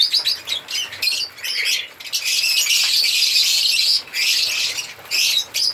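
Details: African lovebirds chirping and singing: clipped high squeaks at first, then a long sustained stretch of dense shrill twittering, ending in short separate bursts.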